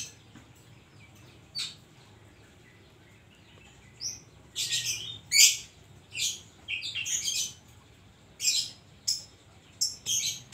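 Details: Oriental magpie-robin with koslet-style filler song: after a quiet start, a series of loud, scratchy high bursts and short whistled notes, spaced about half a second to a second apart.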